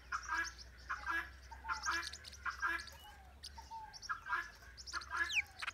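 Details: Blue-winged parrotlet from northern Bahia, Brazil: bursts of harsh, chattering notes repeated roughly every second, mixed with short thin whistles and a rising squeak, over a faint low hum.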